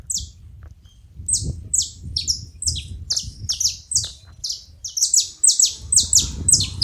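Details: Saffron finches noisy at a feeding spot: a steady stream of bright, high, descending chip notes that grows busier and overlapping toward the end, above a low rumbling background.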